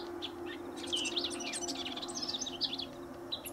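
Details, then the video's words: A vocal house wren at Linscomb W.A., by a riparian area, sings a tumbling stream of quick high twittering and trilled notes, with a White-eyed Vireo audible in the background over faint low hum. "House Wren Singing"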